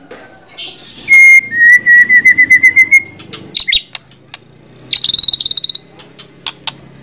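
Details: White-rumped shama song mixing clear steady whistles, a repeated series of short whistled notes, and bursts of harsh high chatter, separated by brief pauses.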